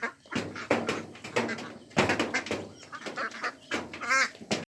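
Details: Pond ducks, including Mandarin ducks, mallards and Pekin ducks, give rough, clustered quacks in uneven runs; near the end a higher, tonal, wavering call stands out above the harsh chorus.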